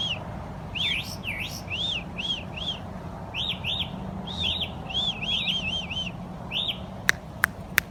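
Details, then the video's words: Birds chirping through the morning: clusters of arched, sweeping chirps in uneven bursts, some paired or tripled, followed near the end by three sharp clicks, over a low continuous hum. "Them noisy birds that chirp all morning"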